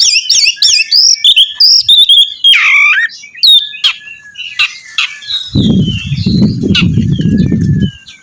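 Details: Oriental magpie-robin, a lively singing bird, used to prompt another to sing: loud whistled phrases with rising and falling notes and sharp chirps at a fast pace, then a low rumbling noise in the final seconds.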